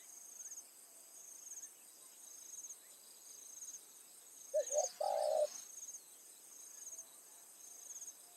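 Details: Spotted dove acting as a decoy in evening trapping, calling to lure wild doves. After quiet stretches comes one hoarse phrase of quick short coos and a longer coo, while a steady high insect whine continues.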